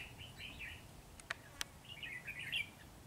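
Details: Two quick bursts of chirpy, slurred whistles from a red-whiskered bulbul, separated by brief clicking taps.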